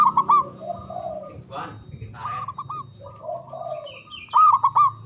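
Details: Local zebra dove from Java with a loud, far-carrying voice, used to spur silent doves into song. A trilled cooing burst opens, then softer cooing phrases follow, a brief muffled noise, and a final loud rapid coo series.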